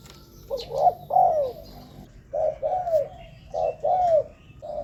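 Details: Spotted dove cooing, a recording used to lure wild doves to ground, branch or cage-trap decoys; low mellow coo phrases of a short note then two longer falling coos, repeated about every two seconds with softer coos between.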